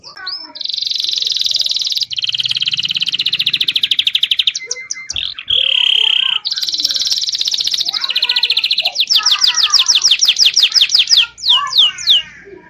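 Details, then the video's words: Local canary song used as basic tutor song for young white-rumped shamas: long, fast, high buzzy trills and rolls, a steady whistled note midway, then quick rattling series and sweeping notes, continuous for over twelve seconds. "bond local canary || Masteran dasar untuk trotol murai batu"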